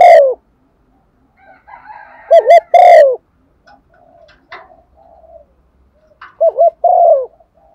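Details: Female dove cooing to call a male, a recording used as a lure for decoy birds; low, wavering coo phrases come in several loud bursts across the recording, separated by quieter murmuring sounds.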